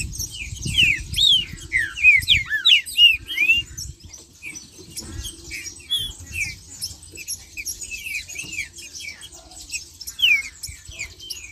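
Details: Green-winged saltator (trinca-ferro) singing in the marcheando style, used to warm up other saltators: a burst of loud slurred whistles in the first four seconds, then fainter scattered whistled notes with light tapping and low thumps.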